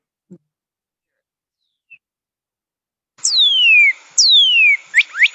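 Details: Northern cardinal song: two long, clear whistles sliding steeply down from high to mid pitch, then quick short slurred notes, over a faint steady hiss; likened to a mechanical 1980s laser gun.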